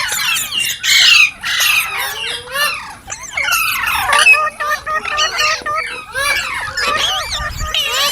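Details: Green parrots give a lively jumble of sharp squawks, curling whistles and short chirps, repeated in uneven bursts with brief quieter gaps, in clear surroundings.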